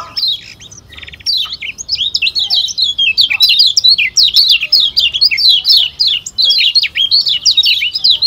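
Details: Thick-voiced Lombok white-eye, a contest songbird, pouring out an unbroken stream of rapid, high, down-slurred chirps after a short buzzy rattle and a few scattered notes.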